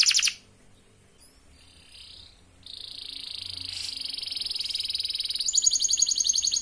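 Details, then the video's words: Canary singing a lure song meant to draw out song in other canaries: a short buzzy burst, a pause with two faint upslurred notes, then a long high rolling trill that switches to a faster, higher pulsed roll. "kenari pancingan untuk memancing kenari bahan"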